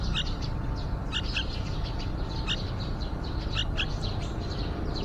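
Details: Yellow-vented bulbul family at a nest beside a window, from nesting through hatching to fledging: clusters of sharp, high chirping notes tumbling in irregular runs, heard above heavy, steady low-pitched noise.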